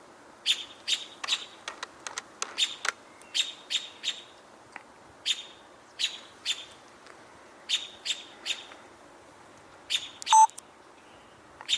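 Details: An American Robin vocalizing from above, its focus unclear, gives sharp, high chirping notes in quick clusters, roughly two or three a second with short pauses, and one brief low whistle near the end.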